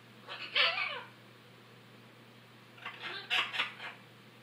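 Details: Softer macaw squawks in two short bursts with a long quiet stretch between, from noisy macaws, one acting aggressively.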